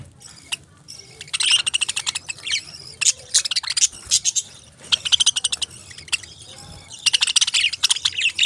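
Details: Parrots chirping in bursts: clusters of rapid, high, buzzy chirps separated by short quieter gaps, several birds calling over one another.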